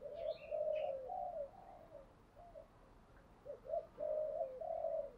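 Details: Caged decoy spotted dove cooing to provoke wild rivals into fighting: low arched coos in two bursts, early and late, with a quieter gap between, over soft steady background hiss and a few faint higher chirps.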